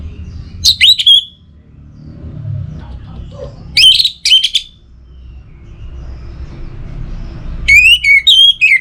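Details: Caged orange-headed thrush singing three separate short bursts of sharp, rich whistles with harsh edges, spaced a few seconds apart over low background rumble.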